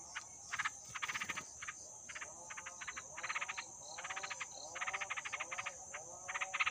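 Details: Wild yellow-vented bulbul nestlings, hungry two days after hatching, repeat short bursts of quick, harsh ticking begging notes, each burst lasting under a second with brief gaps, while a continuous high whine runs behind.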